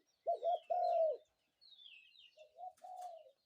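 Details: Morning cooing of a spotted dove: one loud hoarse phrase, a stuttered note then a drawn-out coo, followed by a softer, more distant coo, with thin whistles of other birds between.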